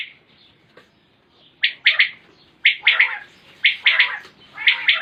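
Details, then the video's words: Common quail calling, recorded 2020: sharp, liquid three-note phrases, 'whit wit-wit', repeated about once a second at a high pitch. "Common Quail Calling"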